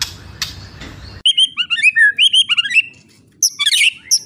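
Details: Song of a White-rumped shama for training young spotted birds: after a second of hissy noise, a varied run of short whistled slurs and chips, a brief lull, then a loud high jumbled phrase.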